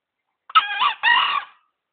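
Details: Single crow of a captive green junglefowl, a lure-caught bird from Gunungkidul kept three months, is heard as two rough, buzzy syllables, the second held longer and fading, with silence around it.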